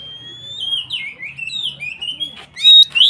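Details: White-rumped shama in loud form, singing to provoke other shamas into singing; long pure whistles sliding and rising, ending in sharp bright notes, with a low hum underneath.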